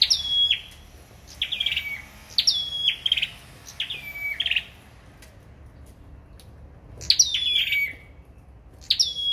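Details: Competitive song of a sâu đầu đỏ: clipped high notes sliding into sustained whistles that step down in pitch, repeated in a run of phrases, then a silent gap before two more.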